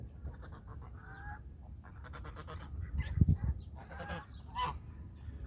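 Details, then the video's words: Country geese honking: a run of harsh, nasal, buzzy calls, repeated rapidly in bursts, with a louder cluster near the middle and a final sharp honk, over low rumbling background noise. "The sounds of Country goose call is relaxing."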